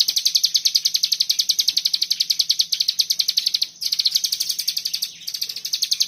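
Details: Common iora in the tight 'bren rapet' singing style: a dense, fast, high-pitched chattering rattle that stutters twice and restarts, keeping a steady rapid pulse throughout, with a soft background hum.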